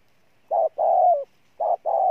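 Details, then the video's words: Freshly trapped spotted dove cooing forcefully: two phrases, each a short low note then a sustained, level coo, one ending with a slight downward slur, against silence. "Con Bổi Gù Trâu Bò nhất năm"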